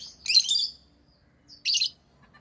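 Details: Pet lovebirds chirping: two harsh, high, noisy chirp bursts, the first longer and the second shorter, about a second and a half apart, over a quiet background.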